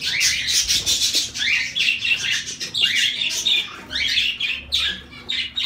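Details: Group of zebra finches giving rapid strings of nasal, slightly buzzy tweets and falling chirps that overlap into steady bursts, pulsing roughly every second, with a faint low hum underneath.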